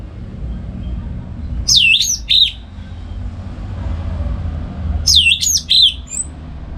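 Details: Orange-headed thrush kept at home in Singaraja, North Bali, singing in the morning as a lure and tutor for other songbirds. Two short phrases of high, swooping, downslurred whistles, a few seconds apart, over low background noise.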